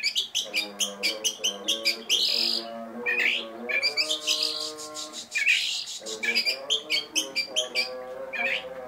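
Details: Oriental magpie-robin in fast, varied song with sharp 'tembakan' shots: dense rapid chips and buzzy bursts over a sustained musical tone with shifting harmonics throughout.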